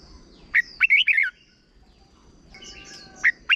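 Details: Young red-whiskered bulbuls are taught with this song: a run of warbled whistled notes sliding downward, then quieter chattering notes and two sharp short notes at the end.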